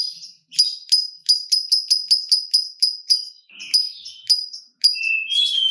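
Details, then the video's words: Lovebird in ngetik style, used as a lure to get other lovebirds singing: a quick run of about a dozen sharp, high ticking notes at an even pace, then pauses and a few varied chirps and a thin rising squeak. "Pancingan Burung Lovebird Ngetik Bikin Gacor Ngekek Panjang !! Lovebird Lain Langsung Nyaut Gacor"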